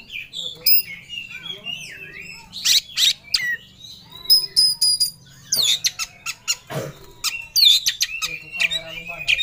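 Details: Fired-up Oriental magpie-robin hunting for a rival delivers a long varied song of sliding whistles, scratchy bursts and sharp chips, with a brief low rasping note in the middle.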